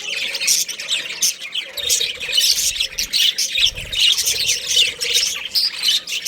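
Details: Australian budgerigar pair kept for breeding: rapid overlapping squeaks and chirps forming a restless high chatter, with brief squawky accents and faint handling noises.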